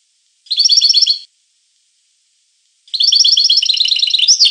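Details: European goldfinch song: dense, rapid liquid twittering trills in two bursts, a short one and a longer one, separated by a silent pause, with no other sounds.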